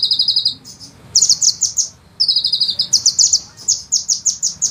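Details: Sunbird singing in a rapid, tight style with long rolling bursts, kept as a master recording for training songbirds: piercing high trills repeated in quick runs, with a brief gap near the middle.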